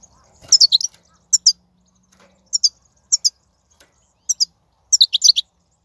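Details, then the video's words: Wild European goldfinch twitter recorded in 2019: crisp paired chirps repeated roughly every half second, ending in a denser rapid burst of tumbling notes, over an otherwise quiet background. "بتبتة الحسون , (بتبتة برية 2019)"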